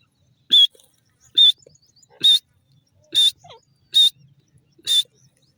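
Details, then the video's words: Grey francolin: loud, sharp, high calls repeated about once every 0.9 seconds, six in all, with faint low knocks between them. "bhura teetar ki awaaz"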